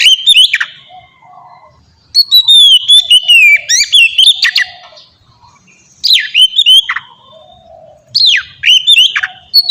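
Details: Ngeplong-style song of a white-rumped shama for training captive birds: separate bursts of sweet whistles with sharp slurred drops, spaced by roughly two-second gaps, with a faint low warble between.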